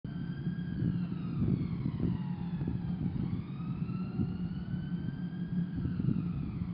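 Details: A wailing siren slides slowly down and up over a low traffic rumble, with no animal calls.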